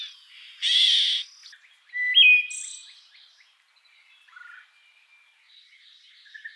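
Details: A Song Sparrow in the Eastern US sings a lively, varied phrase: a harsh buzzy burst, a bright rising whistle, then softer twittering notes and a short trill.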